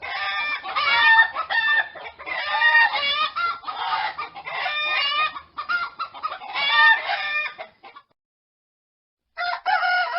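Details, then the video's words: Fowl chorus with rooster, repeated loud wavering harmonic phrases and clucks for nearly eight seconds, a silent pause, then another call resuming. "The sound of cock cock Warble roster sound"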